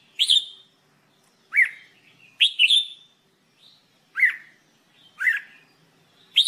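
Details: A red-whiskered bulbul sings during training, giving short, sharp, rising whistled phrases about once a second, some doubled, with brief silent gaps between them.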